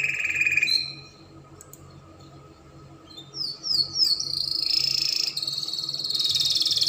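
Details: Spanish Timbrado canary, used to tutor young canaries, giving a buzzy trill, falling quiet for about two seconds, then a run of quick rising chirps flowing into long, even rolling trills.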